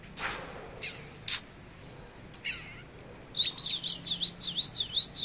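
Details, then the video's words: Displaying Oriental magpie-robin, singing as it dances: a few scattered harsh clicks and rasps, then a quick run of rhythmic looping whistles repeated about six times near the end. "chòe than múa hót"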